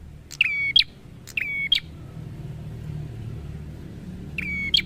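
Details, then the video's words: Prinia song, locally prenjak: two quick buzzy-whistled phrases with sharp endings, a pause filled by low traffic-like rumble, then a third phrase. "Terapi Suara Prenjak Gacor"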